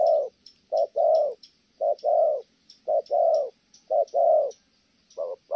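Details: Kon Tum spotted dove cooing in the thổ âm style, with steady low two-part coos, each a quick note followed by a drawn-out hoot, about one pair per second; faint high twitters behind.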